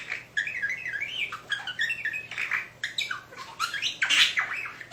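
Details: A budgerigar imitates R2-D2 robot beeps with warbled, bending whistles and scratchy squawks.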